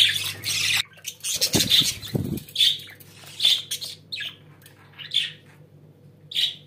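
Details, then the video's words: Pet budgerigars giving a burst of busy chatter, then spaced sharp chirpy squawks roughly every second, with a couple of low thumps or wing flutters and a faint indoor hum. "Muhabbet Kuşlarınız Bu Sese Bayılacak & Ötme Garanti"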